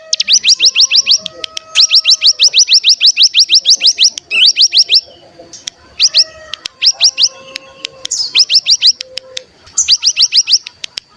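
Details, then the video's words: Bar-winged prinia (cigun) used as a decoy to make other birds sing and burst into rapid 'bren' song. Bursts of fast, sharply rising high whistled notes, about six to twelve per burst, separated by short pauses, with faint lower chirps between. "Pancingan Cigun Bahan Agar Bunyi Langsung Ngebren Paling Ampuh"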